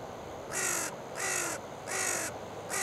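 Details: Carrion crow, wild, at a riverside feeding ground on the Oita River on an October 15 morning: four harsh, rough, drawn-out caws, each about half a second, spaced under a second apart.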